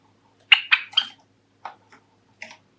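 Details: Indoor Java sparrow from a household flock of five, courtship song: three loud, clear chirped notes in fast succession, a brief pause, then two softer clipped notes and one final short chirp.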